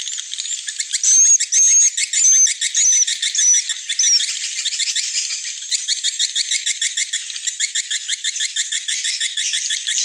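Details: Twittering of edible-nest swiftlets, played as an evening roosting lure: a few thin whistled notes sit over a stream of rapid, crackling high chirps that become an even, fast rattling chatter in the second half.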